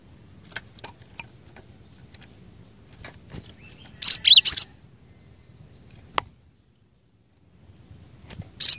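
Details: Cinereous tit in full 'gacor' song, meant to trigger other birds of its kind to sing: a short cluster of high chirping notes, isolated clicks around it, and another burst starting at the very end.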